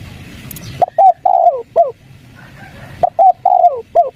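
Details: Spotted dove, 'kuk 3' lure to get wild doves answering: two soft cooing phrases two seconds apart, each two short hoots, a long falling coo and a clipped final note, with faint high chirp and low hum.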